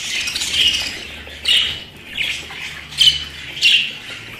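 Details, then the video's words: Pet budgerigar calling: a run of short, bright, scratchy chirps repeated roughly every half second to a second, with a chattering warble between them. "আমার পোষা প্রাণী বাজরিগার"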